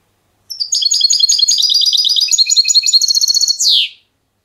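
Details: European goldfinch schooled in silvestrismo clean singing delivers one continuous three-second phrase of rapid, tinkling twitters and trills, ending with a sharp descending slurred note.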